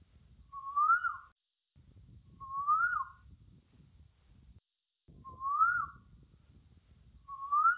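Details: Asian koel in a forest giving loud, clear rising whistles, one roughly every two to three seconds, over a low background rumble.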